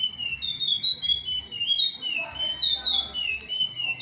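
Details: Chestnut-bellied seed finch, Timbira song type: sustained pure whistles with gentle bends, then a denser cluster of slurred notes, and a short click near the end over a faint hum.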